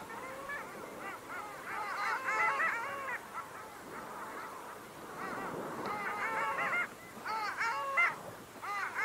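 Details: Long-tailed duck, chosen Estonia's bird of the year 2023: a chorus of nasal, yodelling calls with rising and falling harmonic notes, delivered in quick overlapping bursts from several birds, over a faint steady background hiss.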